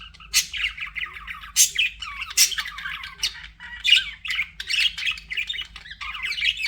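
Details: Pet budgies giving a broken warble: short scratchy squawks and chirps in bursts, with several loud harsh notes spaced a second or so apart among softer twittering.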